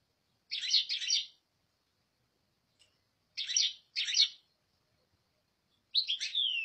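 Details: European goldfinch song in repeated paired bursts of rapid, tinkling chatter, about three phrases spaced by pauses, ending with a falling liquid twitter.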